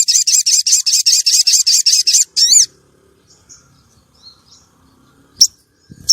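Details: Female common iora calling to lure and arouse male contest birds. Rapid, evenly paced high buzzy notes repeat about twice a second for two seconds, then one bright stacked note sweeps downward. Faint soft chips follow amid near silence.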